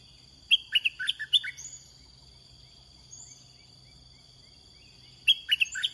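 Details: Red-whiskered bulbul recorded while luring wild birds with a caged one in Thailand: a fast run of sweet whistled notes, then quiet insect droning, then the phrase begins again.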